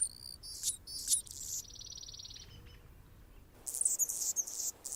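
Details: Anna's hummingbird singing on a branch in Golden Gate Park, San Francisco, California: high, scratchy buzzy notes, then a steady thin buzzing stretch, a short pause, and another burst of sharp squeaky chips.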